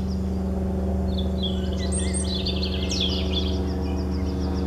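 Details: European robin singing: a burst of high, thin, tinkling phrases with quick trills and slurred notes in the middle of the clip, over a steady low hum.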